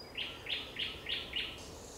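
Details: Thrush nightingale in sunset song on 30 May 2021, giving five loud, full, slightly harsh notes in steady succession, about one every third of a second.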